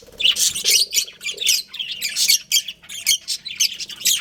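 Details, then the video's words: Pet budgerigars kept as a breeding pair, chattering indoors in fast bursts of shrill, scratchy chirps and squawks, overlapping with barely a pause and a faint low hum underneath. "Adorable Budgies Chirping Sounds"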